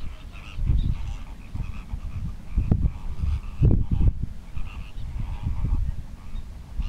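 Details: Displaying greater flamingos produce deep, nasal, goose-like honks and grunts in an uneven, continuous chorus, with louder bursts in the middle.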